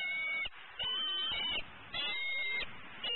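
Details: Eagle in Southwest Florida, 12-11-14, vocalizing persistently around 11am, hungry and pushy as her mate feeds on prey nearby. Thin, piercing notes in short bursts, some sliding up, some falling, separated by brief pauses against background hiss.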